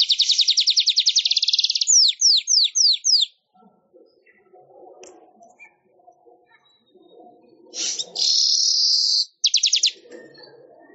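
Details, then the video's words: Weaver (manyar) song recorded for training songbirds: a rapid high rattle slows into separate swooping notes, then a pause with soft background murmur, then a harsh buzz and a short closing rattle. "Suara Ocehan Burung MANYAR Untuk Masteran Durasi Panjang"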